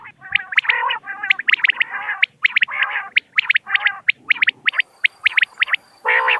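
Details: Common quail voices: clusters of sharp bright notes and throaty nasal growls, overlapping at first. Later come spaced single clipped notes, with a high steady hiss in the last seconds.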